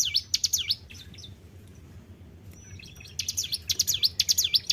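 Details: Captive white-browed shortwing singing: a short burst of high, sliding down-and-up whistles, a quieter stretch with soft chirps, then a renewed run of sharp V-shaped notes at about two per second.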